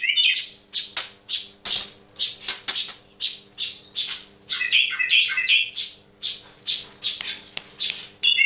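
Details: Unusual calling by a yellow-vented bulbul: rhythmic harsh chirps with short warbled bursts woven in, and a faint hum behind.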